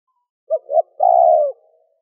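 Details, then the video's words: Spotted dove call of the gù, thúc and gáy gọi styles, used to rouse wild doves: one phrase of two short soft coos followed by a longer, drawn-out mellow coo, low and clean with no other sounds. "Cu gáy gù - thúc - gáy gọi kích bổi nhanh nổi"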